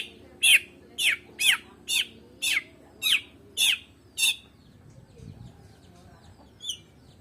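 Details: White-rumped shama of the Medan type singing: eight short rising whistled notes repeated about every half second, then a quieter pause with a faint high twitter near the end.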